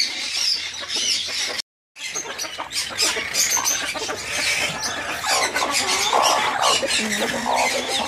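Broody Silkie hens give low, grumbling clucks and a few sharper squawks in quick irregular bursts, with rustling and a brief gap partway through.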